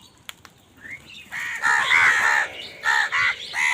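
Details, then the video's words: Crows fighting for food give loud, harsh caws that start faint and build into a run of overlapping nasal calls in the second half, with a couple of sharp clicks early on. "কাকের ডাক Crow Sound Crow ki Awaz Loudly | Crow bird Fight for Food"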